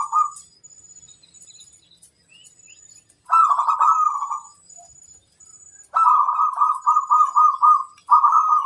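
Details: Local zebra dove, a prized singing bird, calling to challenge rivals: rolling cooing phrases around mid-low pitch, a short one at the start then longer bubbling bursts, the last nearly continuous; faint high chirps in the background.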